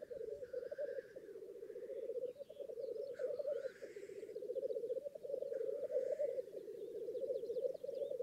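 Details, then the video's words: Black grouse displaying at a lek in northern England: a steady, low, rolling bubbling chorus runs throughout, broken by several harsh hissing sneezes and some higher whistly notes in the background. "Black Grouse Lek"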